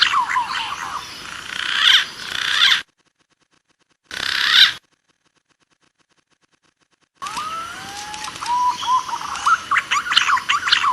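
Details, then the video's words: A lure recording of green pigeons (punai) gives soft whistled notes that bend up and down in pitch, overlapping in a busy chorus broken by two abrupt silent gaps. "Suara Pikat Burung Punai Jumbo"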